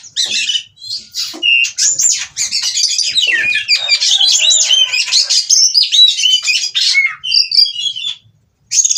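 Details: Oriental magpie-robin in breeding condition, seeking a mate and singing in 'ngobra' style: an extended, loud medley of high whistles, trills and scratchy notes that fades into a brief silence before resuming.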